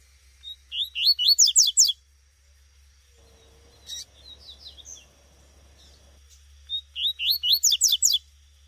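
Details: Two bursts of quick, rising, squeaky chirps from a female Double-collared seedeater in the bush, separated by a few seconds of softer scattered notes.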